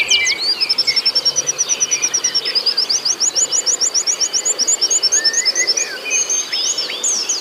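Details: Oriental white-eye song played to stir up a caged bird: long, rapid series of high, sharp chirped notes repeated many times a second, with scattered lower twittering notes underneath and a faint steady background hiss.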